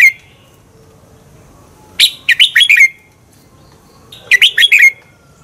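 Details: Red-whiskered bulbul song for stimulating competitive singing: two phrases of five quick, clear whistled notes, dropping in pitch at each close, about two seconds apart after a brief opening note.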